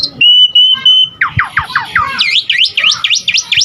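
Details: Asian pied starling in varied song meant to lure and tutor starlings: a long steady whistled note, then a run of falling slurred notes and a series of sharp V-shaped whistles repeated rapidly.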